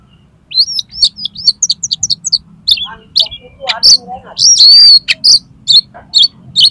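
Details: Konslet-style song of an oriental magpie-robin, meant to make another bird open its tail: a loud, rapid, jumbled stream of high chattering notes, buzzy trills and piercing whistles, almost without pause, in clean quiet surroundings.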